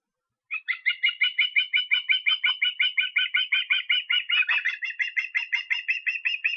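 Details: Osprey calling in Estonia, 23 August: around thirty quick, piercing whistled notes in an unbroken stream, growing briefly harsher midway, then continuing evenly to the end.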